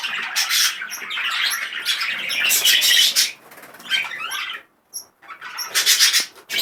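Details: Highly excited male budgerigar delivering a continuous rasping warble with chirps and clicking squawks, dropping off briefly near four and a half seconds before resuming in short, loud bursts.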